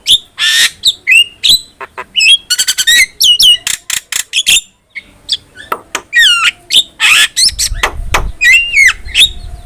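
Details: Lively Javan myna song used for training other birds: rapid chattering chips, squawks and looping whistles in dense runs, a brief pause midway, then more twisted whistles over a low rumble toward the end.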